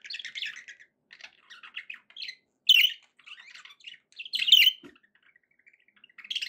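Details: Pet budgerigars warble in scattered bursts: soft scratchy chatter and ticking notes broken by silences, with two loud shrill squawks standing out.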